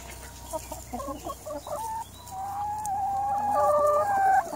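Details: A flock of 180 hens: quick clucks around the middle of the range give way to drawn-out, steady, slightly wavering tonal calls from several birds overlapping, with a faint constant hum underneath.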